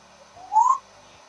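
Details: Pet grey parrot indoors, sitting in a small house and being dried with a hair dryer after a shower bath: a single short, clear whistled note rising and then falling, over a faint steady hiss.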